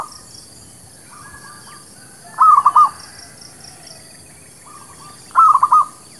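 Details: Zebra dove lure song for trapping and new birds. Two loud phrases of rapid, bubbling cooed notes come about three seconds apart, with fainter phrases from other doves at the start and in between.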